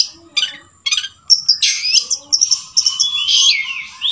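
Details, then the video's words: Long-tailed shrike with sooty-headed bulbul notes in its song, described as a clever bird: short raspy chips giving way to a busy stream of high, bubbling whistles and slurred phrases. "Cendet isian kutilang itu adalah cendet cerdas"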